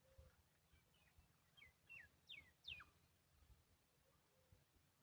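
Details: Hungry woodshrike chick at the nest, with a parent staying close. A short burst of sharp, steeply falling chirps bunched together mid-clip, each a quick downward slur, over a faint low rumble and quiet background.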